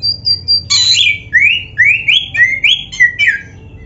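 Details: Oriental magpie-robin, black-breasted form (kacer dada hitam), in a masteran training song with varied isian phrases, played to prompt captive birds to sing. Loud, clear song: thin high notes, then a harsh burst, then quick rising whistled slurs repeated several times.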